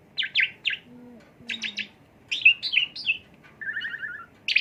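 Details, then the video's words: Asian pied starling song used as a lure to stimulate a bird: groups of two or three sharp, falling chirps, then a few rising whistled notes and a short buzzy trill, with low hum underneath. "bongkar isian jalak suren dan pancingan untuk mompa sang Garuda"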